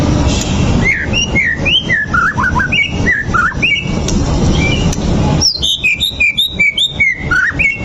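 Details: White-rumped shama song played to provoke another bird into fighting: a string of clear whistled notes and slurred upward and downward phrases, then a quicker burst of high, bright whistles, over a steady low rumbling hiss.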